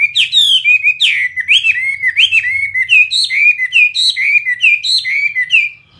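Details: Chinese hwamei, a fighting-type bird, singing loud, rich phrases of slurred whistles and rising-falling notes in quick succession, with brief pauses between bursts; no other clear sounds.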